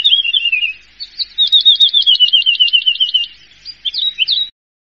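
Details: Champion contest Horsfield's bush lark sings a descending warble, then a long fast trill of evenly repeated high notes, ending with a few sharp slurred chips.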